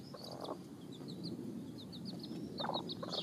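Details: Hens and chicks during a dust-bath: a steady series of thin, high chick peeps, roughly three per second, with a few soft hen clucks beneath and low rumbling background noise.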